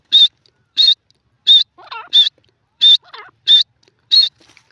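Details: Grey francolin in a jungle, locally jungli teetar, repeating loud, piercing, harsh notes at a steady pace, roughly every two-thirds of a second, with softer, lower, wavering notes between some of them.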